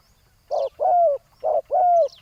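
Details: Spotted dove calling during ground decoy trapping of a loud rival: two quick paired phrases, each a short hollow coo followed by a longer, sliding, slightly falling whoo, over a quiet background.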